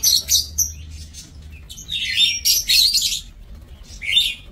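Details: Several lovebirds kept in an aviary cage, 5 July 2024, give dense bursts of shrill, buzzy chirping, fast and irregular, with brief pauses between clusters.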